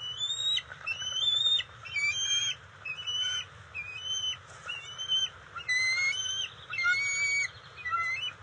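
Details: Resident bald eagle pair at their NCTC nest with eaglets, June 27, 2021, during a fish delivery: repeated high whistled, squealing notes about once a second, some sliding and stepped, over a constant low background rumble.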